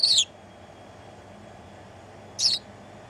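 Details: Toobie, a house sparrow perched on a person's shoulder, sings on New Year's Day 2016 at 14:39: two short, bright chirps about two and a half seconds apart over a quiet, faintly humming background.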